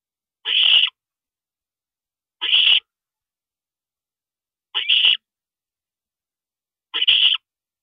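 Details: An owl parent stops over at the nest at night, April 22, 2012, around 2:40 AM; four evenly spaced, raspy, breathy bursts arrive about every two seconds in silence.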